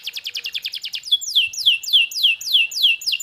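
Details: Canary giving a quick series of short repeated notes, then regular loud downward-sliding whistles, about four per second, clear and ringing.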